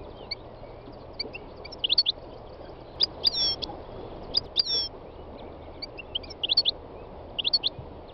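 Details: Three-year-old North African goldfinch kept by its owner, singing on a spring day in the north-west mountains of Tunisia: scattered bursts of high, liquid twittering notes with short pauses, steady background hiss, other wild birds nearby.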